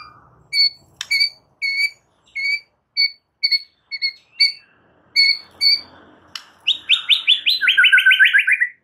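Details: White-rumped shama song meant to stir other shamas into excited singing: a run of paired short whistled notes repeated steadily, then a fast descending rattled series of notes.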